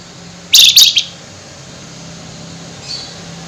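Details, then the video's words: At night, a flameback in high excitement gives a nyerecet call: a harsh, grating, high-pitched burst of rattling notes in three quick pulses, followed by near silence. "Burung FLAMBOYAN GACOR Nyerecet Emosi Tinggi DiMalam Hari"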